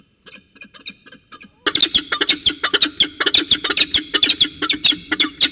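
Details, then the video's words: Peregrine falcons at Orange CSU, New South Wales, on 19 February 2020, chatting in a ritual dance. A few soft scratchy notes, then, after about a second and a half, loud harsh rapid chattering, roughly two notes a second, rasping and insistent. "Peregrine Falcons Orange CSU NSW, Chatting and Ritual Dance"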